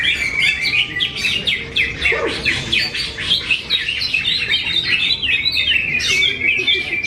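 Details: Kept greater green leafbird from Kediri, with a busy, unbroken song of quick twittering and whistled notes. The notes jump around in pitch, with brief lower sounds in the middle.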